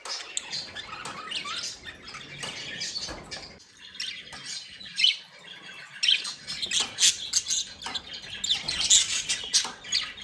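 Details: Budgerigars described as happy and playing, indoors, keep up a dense, continuous high chatter of scratchy warbles and short squawks, with brighter chirps clustering toward the end.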